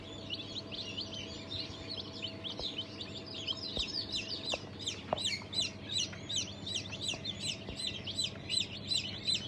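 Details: Fresh-hatched Cream Legbar, Sultan, Fizan, Cochin and İspenç chicks, 5 May 2023: scattered high chirps grow into a louder, steadier run of piercing peeps about two or three per second, with a faint low hum and occasional clicks.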